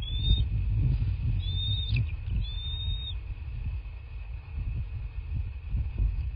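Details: At a southwest Florida nest watched by camera on 23 February 2024, a bald eagle gives three thin, high piping whistles in the first few seconds, then falls quiet while low rumbling background noise continues.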